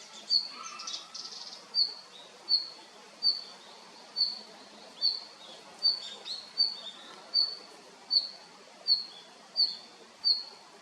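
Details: Male red-flanked bluetail calling: a sharp, high note repeated about every three-quarters of a second, some fourteen times, with faint twitters early on.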